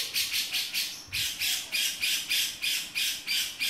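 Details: Male grey-cheeked bulbul in 'beset' style: harsh, broadband rasping notes repeated about three times a second, with a brief break near the middle, over a quiet background.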